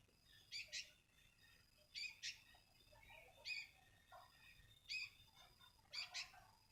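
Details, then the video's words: A lone sooty-headed bulbul, locally called kutilang, sings brief bubbly phrases of sharp whistled and buzzy notes, repeated roughly every second, with softer lower notes between bursts and a steady faint background hum. "seekor burung kutilang"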